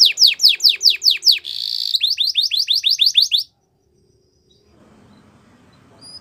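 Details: Belgian canary singing a series of sharp descending whistled notes, a short buzzy roll, and more quick down-slurred chirps before falling quiet, with faint background murmur afterwards.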